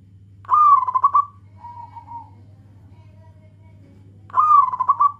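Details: Local zebra dove calling to companions, males and females answering each other: a loud, rapid stuttering coo phrase, a softer steady coo, then another loud bubbling phrase, over a low steady hum.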